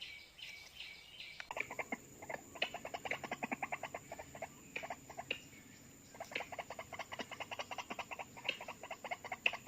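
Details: White-breasted waterhen, two birds drawn in within seconds by call playback during trapping; harsh rapid stuttering clucks in dense bursts, pausing briefly before resuming, over a steady high electronic whine.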